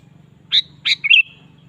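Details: Sooty-headed bulbul singing actively in a lure recording: one brief phrase of two sharp, bright notes followed by a fluttering, slurred whistle, with a steady low hum behind.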